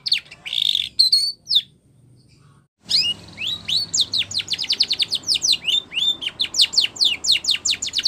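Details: Spanish Timbrado canary training song: a short buzzy burst and whistles, a pause, then an accelerating string of sharp high chirps repeated rapidly.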